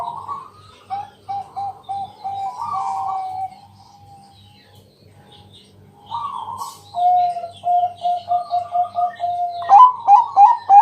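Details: Bangkok-type zebra dove at night, a loud local singer used to lure other doves into singing: a rapid string of short hollow coos, then longer wavering cooing phrases, over a steady low throbbing pulse in the background.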